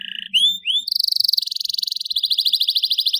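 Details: Canary song used to stimulate young canaries to sing: short whistles and rising slurs, then a long rapid pulsed trill, high-pitched and steady.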